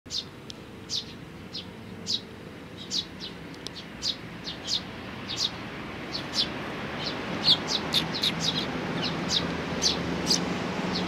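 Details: Sparrow chicks with their parents, recorded 17 May 2019: short, bright chirps repeated irregularly, growing busier toward the end, over a low rumble of distant traffic.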